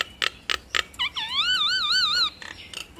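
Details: Nias hill myna duet: three abrupt harsh clacks, then a long, rich whistled note that wavers steadily up and down for over a second, ending in soft chips.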